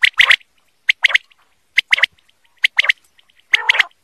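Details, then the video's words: Native desi quail calling: loud, sharp grouped notes in quick clusters of two to three, repeated about every second, each burst crisp and clicking with a liquid quality, otherwise quiet. "The voice of the quail"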